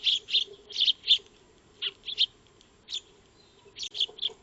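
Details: Backyard Eurasian tree sparrows (maya birds) at a feeding spot, recorded by a motion-triggered solar wildlife camera; short bright chirps in small groups of two or three, separated by brief pauses, over a faint constant hum.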